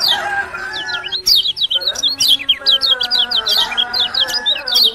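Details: Lemon-bellied white-eye from Lombok in full song: rapid, continuous high twittering of short zigzag notes, very lively and dense, briefly broken by a pause, over faint lower tonal sounds.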